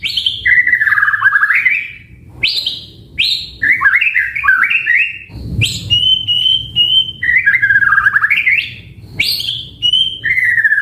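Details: White-rumped shama, sung to make other shamas answer, gives a rich sequence of loud whistled phrases, swooping downward slurs, rising stepped notes and a steady held whistle, separated by short pauses over about eleven seconds.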